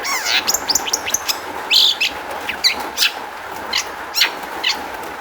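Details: Long-tailed shrike lure song to make other shrikes sing; rapid high twittering and a rising whistle, then a harsh buzzy burst and spaced sharp chirps, with a low hum behind.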